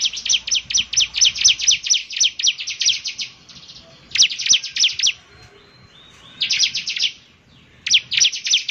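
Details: Bar-winged prinia in vigorous song: dense, rapid bursts of high, sharp chirps falling in pitch, delivered in runs of several seconds separated by brief quiet gaps.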